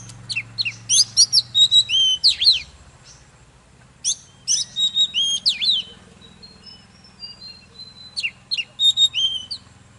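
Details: Intense Oriental magpie-robin song meant to stir other birds into singing: quick clusters of clear, slurred whistles and sharp chips in three bursts, with a thin level whistle between them and faint low hum behind.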